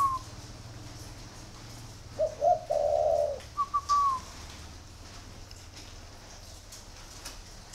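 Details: Spotted dove, an ordinary bird kept by a dove breeder, cooing after being urged to keep going: one phrase of two short stuttered notes, a long rolling low coo, then a few higher notes that rise and fall away. A faint hum underneath.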